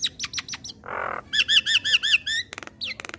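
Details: Javan myna (yellow-eyed) giving a varied song meant to teach young birds: sharp clicking ticks, a coarse hissing rasp, then a quick string of arched whistled notes and dry clicks.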